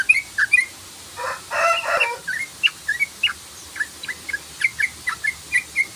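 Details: Sooty-headed bulbul giving the rapid 'ropel' lure call. A few chirps and a harsh, rasping burst open the passage, then a steady run of short, bright, slurred notes repeats several times per second.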